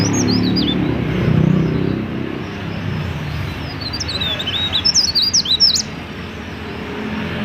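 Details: Mountain leaf warbler singing actively, a recording meant to lure other mountain leaf warblers to sing quickly; brief high, thin twittering phrases at the start and again in a rapid burst near the end, over steady low rumbling background noise.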